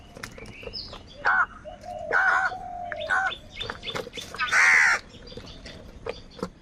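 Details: Crows fighting for food give harsh, hoarse caws in separate bursts, about four in six seconds. The longest and loudest comes near the end. Soft chirps and twitters from other birds fill the background.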